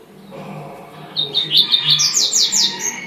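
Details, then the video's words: Double-collared seedeater, a song style called tuitui manda chuva, sings a short phrase of high bright notes that rise in steps, then a fast buzzy trill. Low background hum throughout. "coleiro tuitui manda chuva"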